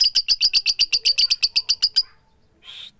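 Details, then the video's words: Calling female lovebird, "tik tik keyok" style with no chatter. A fast, even run of bright, high ticking chirps lasts about two seconds, then stops, followed by a soft short rasp. "full power suara tik tik keyok Lovebird betina memanggil jantan tanpa ngekek"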